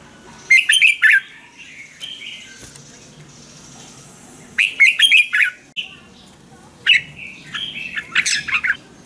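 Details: Thai caged Red-whiskered bulbul song meant for exciting or training other caged birds: three separate phrases of cheerful warbling notes spaced a few seconds apart, with faint background rustling between them.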